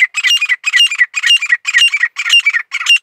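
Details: Grey francolin singing a harsh, grating phrase repeated about twice a second, each burst rough and squawky with a higher, whistled edge, carrying on steadily through the recording.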